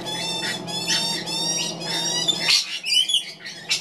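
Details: Magpie chick being fed by its mother, giving high, thin squeals with clear overtones in repeated bursts, then harsher rasping notes, over a steady low hum.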